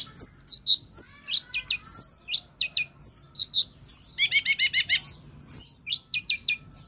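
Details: Long-tailed shrike (pentet) singing a varied medley of high squeaks, paired clicks and a quick trilled run of repeated notes, with brief pauses between phrases.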